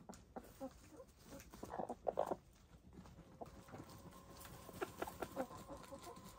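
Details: Gray, lavender, blue and black hens taking a dust bath; short, bright, harmonic murmurs bunch around the middle, then a sustained soft tone with pulsed notes follows, over constant scratching and dirt rustle.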